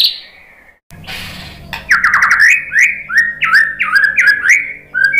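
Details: Murai batu, the white-rumped shama, singing to draw responses from other birds: an opening falling whistle and a rushing noisy sound, then a quick chain of looping rising-and-falling whistled notes.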